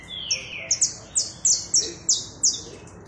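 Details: Saffron finch song: a steady series of bright, high chips about three per second, each sharply slurred downward. A thin descending whistle is heard at the start.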